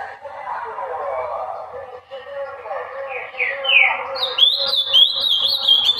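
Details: Ultramarine grosbeak singing, a recording meant to stir other birds into song; low murmuring sound fills the first half, then a few rising slurs lead into a bright burst of rapid warbled whistled phrases.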